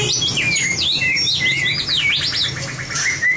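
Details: Training song of a white-rumped shama for competition: rich, fast, high sweeping whistles rising and falling in quick loops, continuous and loud over faint low hum.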